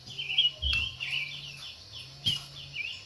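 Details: Song of a female Silver-eared mesia meant to stimulate a male: a steady stream of thin, wavering whistled phrases with a few louder sharp notes, set against a constant low hum and light background noise.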